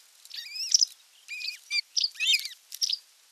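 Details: Osprey calling at its nest on 27 June 2022 when a whole fish was brought for dinner; a few drawn-out whistles and quick chips, fairly quiet, with gaps between phrases.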